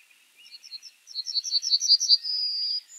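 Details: Yellowhammer song: a quick series of about a dozen high, thin, repeated chips that grow louder and rise slightly, ending in one drawn-out, even, high note held for over half a second.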